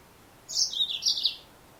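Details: Female Yellow-fronted Canary giving one brief high chirpy phrase of two quick descending twittering bursts lasting under a second, with faint background hiss and no other birds.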